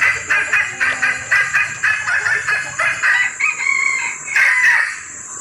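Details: Female junglefowl in breeding condition calling to attract males, used as a trapping lure; rapid series of short, harsh clucking notes repeated about four times a second, later turning into louder squawky bursts, over a steady high-pitched insect whine.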